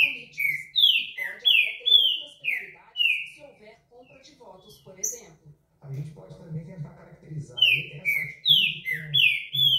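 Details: Green-winged saltator (pixarro) repeating its song: a burst of ringing, down-slurred whistles, a pause filled with faint chirps, then another whistled phrase over a low hum of voices.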